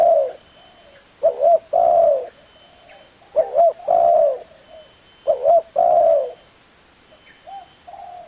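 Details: Spotted dove giving three loud mellow phrases, each a clipped double coo running into a long sustained coo, separated by quiet gaps holding a few soft, faint coos and a low background hum.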